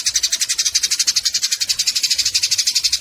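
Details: Eurasian tree sparrows fighting, giving harsh, buzzy chatter: a dense, unbroken stream of rapid high chirps, about four per second, without pause for the full length, from a recording used to tutor songbirds.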